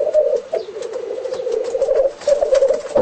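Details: Displaying black grouse giving an unbroken, throaty bubbling coo at a steady low pitch, dipping slightly in volume midway and ending with a short rising sound.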